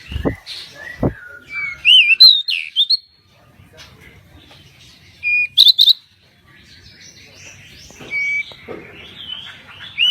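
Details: Pied bushchat in vigorous song: scattered twisting whistles and sharp buzzy notes with pauses, a few loud knocks near the start, and soft hum throughout.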